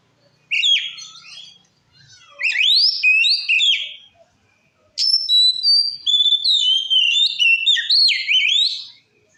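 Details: Kacer (white-rumped shama) song used to provoke other shamas: bursts of rich rising and falling whistles, growing denser and longer after a short silence.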